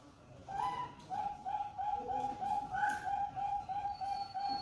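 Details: Young Bangkok-line zebra dove, a caged contest-prospect chick, giving a rhythmic series of short, clear mid-pitched coo notes, about four a second, steady in pitch, with a faint higher whistle late on and a soft background hum.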